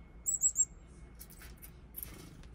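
Black-capped chickadee giving three quick, very high, thin notes, followed by a few softer, rougher bursts over a faint background hiss.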